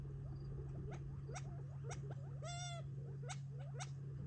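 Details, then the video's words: Feeding flock of Gambel's quail near Tularosa Creek, July 2021, eating before going to roost for the night; sharp ticking chips mixed with soft chirps and one clear, rising, drawn-out whining note midway, over a constant low hum. "Quail “flock party” - Gambel’s Quail feeding"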